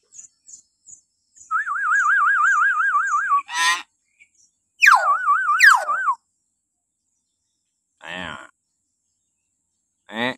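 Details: A common hill myna calls in the morning; the recording is meant to train captive mynas. A long, rapidly wavering warbled whistle is followed by sharp sweeping shrieks and scattered rasping bursts.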